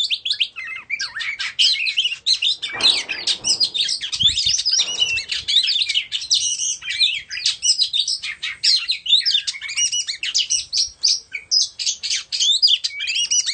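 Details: White-rumped shama of Indonesian origin sings as it dances with its tail spread: a dense, rapid, unbroken stream of high whistled and chattering notes, constantly changing, with a few soft low thumps partway through.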